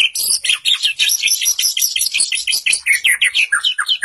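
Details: White-rumped shama delivering a continuous, rapid stream of high, sharp, varied notes, chips and short swoops, pulsing several times a second with hardly a pause.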